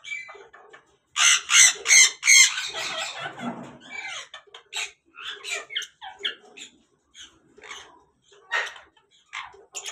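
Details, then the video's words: Captive African grey parrot during breeding, mating call: loud burst of rapid harsh screeches, then a string of shorter rasping squawks and clicks with brief pauses. "Grey Parrot mating call"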